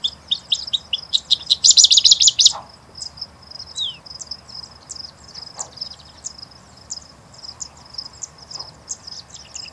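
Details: Singing bush lark from Sabya in Saudi Arabia's Jazan Region opens with a loud, dense burst of high buzzy twitters, then continues with quieter, scattered thin chips and ringing notes over soft steady background noise.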